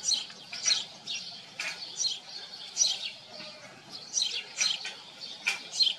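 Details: A group of house sparrows living on a farm makes a lively mix of quick chirps and chattering notes, irregular and overlapping throughout.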